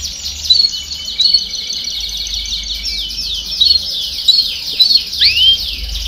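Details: Domestic canary delivering baderna song for training young birds to sing: a sustained, fast, rattling high trill that shifts in tone, ending with a quick series of descending swoops and a bright rising whistle.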